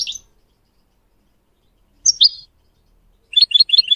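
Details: Goldfinch song used to train young birds: scattered single chirps, a loud double note after a pause, then a quick series of five or six bright twittered notes.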